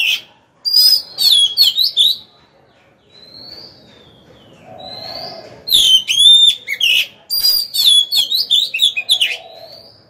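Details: Decoy Oriental magpie-robin in a cage singing to draw rival birds into combat: bursts of loud varied whistles and chatter, broken by a quiet middle stretch with two soft rising whistles and low background noise.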